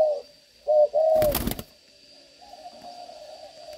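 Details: A captive young spotted dove pair (larger female, smaller male) of the "âm" voice type; soft, hollow coos, a few short notes then a longer drawn-out one, broken by a brief loud clattering noise and a faint steady whine.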